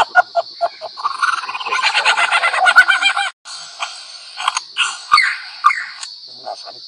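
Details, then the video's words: Male lyrebird, a rare bird of Australian gardens and forests, mimicking sounds: sharp clicks like a camera shutter, a fast chattering trill like a motor drive, scattered squeaky notes over a steady high whine; complex song to draw females to admire his plumes. "Lyrebird Mimic sounds"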